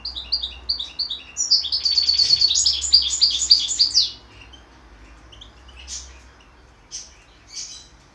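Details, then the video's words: Goldfinch hybrid giving a rapid twittering phrase of high, tinkling notes that builds into a dense chattering burst, followed by quieter scattered single chirps after a short gap. "Mixto jilguero"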